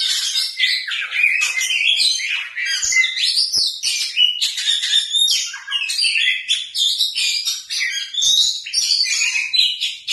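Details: Kept white-rumped shama in full, lively song: a ten-second stream of sharp whistles, rattling chatters and mimic-like phrases, loud and high, rising and falling in quick succession.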